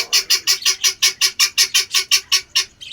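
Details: Helmeted guineafowl kept on a rooftop gives a fast, harsh, rattling series of grating notes, about six per second; one bird calling, said to call this way when angry, sometimes two calling in turn.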